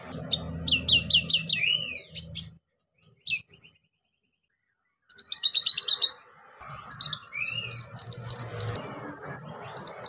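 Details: Orange-headed thrush delivering rapid mimicry-filled song to coax silent birds into singing: quick descending whistled series, a long pause, then fast repeated notes and a dense high trill over a low hum.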